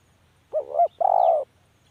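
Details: A single spotted dove phrase: a wavering two-peaked coo, then a longer, level, slightly rough croo lasting about half a second, in a quiet setting.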